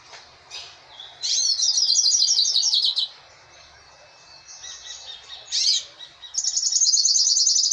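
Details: Caged goldfinch sings while held in the hand, delivering rapid, high, twittering warbles in long continuous runs of trills and chirps, pausing briefly between phrases, with no other sounds.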